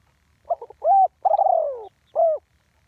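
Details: One-kuk call of a spotted dove recorded live: a quick stuttering triple note, a clear level coo, a long burred coo descending steadily, then a closing coo, against a faint low background rumble.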